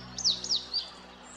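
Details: Male Meadow Bunting singing in early spring: three quick, very high, thin notes, each a sharp downward-sliding whistle, the last one shorter and flatter, over faint background music.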